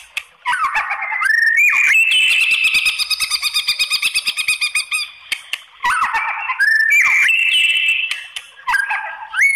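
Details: White-rumped shama challenge song to draw replies from other shamas: warbled, rising whistles framing a long, rapid rattling chatter, the pattern repeated twice.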